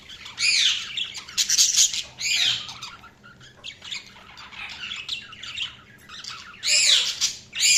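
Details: Budgies giving scratchy, squawky chirps in repeated bursts about once a second, each note sweeping up then down, with softer chatter in the pauses between louder calls.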